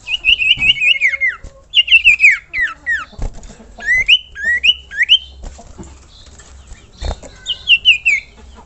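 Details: Common iora calling to draw other ioras into singing: a long wavering whistle near mid pitch that slides downward, then bursts of quick rising and falling whistled notes, with faint low rumble behind.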